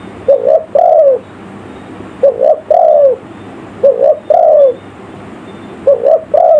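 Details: Spotted dove calling in the village lure style to attract forest birds: four hollow, low-pitched phrases, each a short stuttered coo followed by a longer falling croo, at a slow, steady pace.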